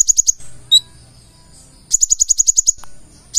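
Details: Konin (purple-throated sunbird) gacor song: a quick run of high ticks, a lone lower whistled note, silence, then a longer rapid series of bright high notes.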